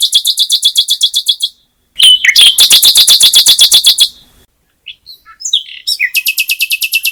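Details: Bird giving rapid repeated buzzy trills of evenly spaced sharp notes, about four per second, interrupted by brief squeaky chips and short silences.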